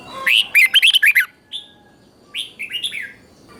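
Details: Doubled song of a red-whiskered bulbul, used to train captive birds: a fast string of around seven bright warbled whistles, a lone note, then a softer trailing phrase of slurred whistles.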